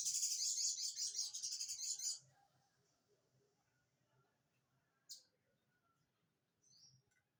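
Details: Olive-backed sunbird giving its ciblek-style song: a fast, high, buzzy trill of rapidly repeated notes lasting about two seconds, then near quiet broken by a single sharp high chip and a brief thin note.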